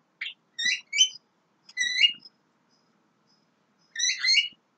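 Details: Young Javan myna in a run of quick whistled, harmonic chirps grouped into two close bursts, a gap of nearly two seconds, then a final squeaky, chattering phrase; background otherwise silent.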